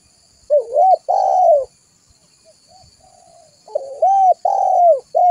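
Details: Lure call of a spotted dove for attracting other doves, with two clear phrases, each of short rounded coos and a long drawn-out coo, separated by a quiet gap with faint soft notes.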